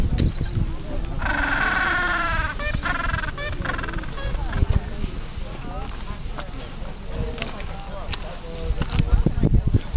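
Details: Gentoo penguin braying call: a loud harmonic, slightly wavering phrase lasting under a second, followed by shorter scattered calls and clicks, with constant low wind or surf rumble throughout.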